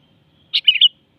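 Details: Sooty-headed bulbul singing one compact melodious phrase: a bold chirp, then a short jumbled warble rising to a clear whistled end, heard against a still background.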